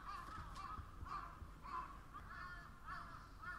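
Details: Crows in chorus giving harsh, grating caws, several overlapping calls repeated about every half second to second, over a faint low-pitched background hum.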